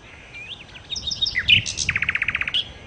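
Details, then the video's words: Nightingale, or sikatan londo, delivering a short phrase: soft slurred whistles and chirps building to loud high notes, then a rapid, evenly spaced rattle of about a dozen repeated notes. "kicau Sikata Londo( Nightingale Birds )-Kicau Burung"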